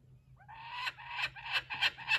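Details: Laughing kookaburra at a wildlife sanctuary, keeping a stolen joey's toy. The laugh starts quietly with rising, tonal notes, then grows into harsher repeated bursts roughly every third of a second.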